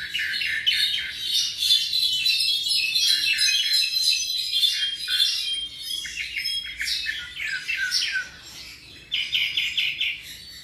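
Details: A tropical mockingbird about seven months old sings a long, varied run of bright chirps, trills and whistled phrases, changing quickly from one phrase to the next.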